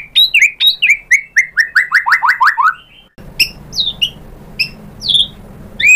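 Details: White-rumped shama singing after being provoked, revealing its learned song material: quick sequence of descending slurred whistles accelerating into a trill, then scattered sharp high notes over faint background hum.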